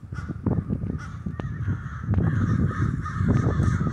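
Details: Murder of crows roosting in the snow in Denver: many harsh, overlapping caws from a large flock over a constant low rumbling city noise.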